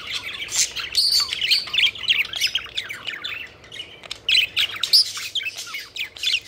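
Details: Budgies having fun while flying about, a group of pet birds giving rapid warbling chatter with short whistled notes and squawks, lively and continuous with brief lulls.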